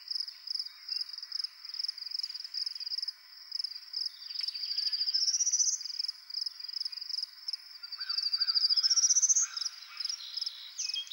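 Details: Territorial male prairie warbler in Ontario, where the species is rare, advertising for a mate on a Sunday morning: quick, thin repeated notes, then twice a buzzy series of about twenty notes rising in pitch, with faint lower chips from other birds.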